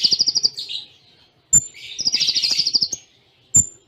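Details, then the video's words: ['Konin, the Kolibri Ninja, singing a training song packed with Cililin-style imitations at close intervals; fast pulsed high trill, a scratchy burst, a piercing short whistle, then a longer dense trill and another sharp note.'] "Masteran Konin Full Tembaan Cililin Jeda Rapat"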